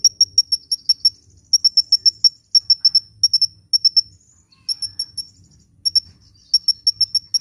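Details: Sunbird in lively song, recorded for luring birds and prompting quiet birds to sing: very high, sharp chip notes in quick bursts of three to six, separated by short pauses, with faint low rumble beneath.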